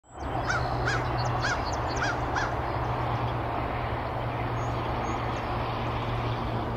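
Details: A mallard hen dabbling close to the camera at Canoe Meadows Wildlife Sanctuary, Pittsfield, Massachusetts, on 9 April 2024 gives about six short, harsh quacks, roughly two per second, then falls silent under a steady rushing noise and low hum.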